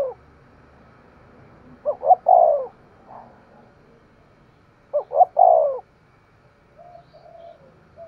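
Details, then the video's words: Spotted dove giving the vigorous 'thúc gù' coo: two low hooting phrases about three seconds apart, each a pair of short notes running into a longer falling coo, over a quiet background. "Tiếng chim cu gáy thúc gù cực sung"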